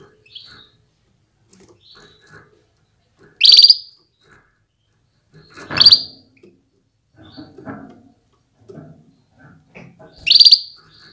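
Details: Female Atlantic canary calling to stimulate males to get ready and sing strongly: three loud, sharp, high chirps at uneven intervals of two to five seconds, with faint soft clicks and rustles between them.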